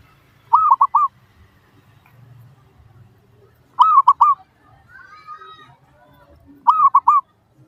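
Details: Lure song of a zebra dove (perkutut), played to draw replies from other doves: three separate bursts of three to four bubbling, arched coos, spaced roughly three seconds apart, with faint low rumble between.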